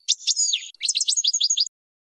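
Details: European goldfinch song for training young birds: a brief burst of rapid, liquid twittering and buzzy trills, high and tinkling, with two quick phrases separated by a tiny pause.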